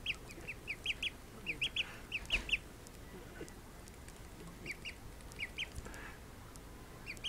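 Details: Call duck ducklings, just woken from a nap, give high, thin peeps in quick runs of two to five, pausing between bursts, over a soft background hiss.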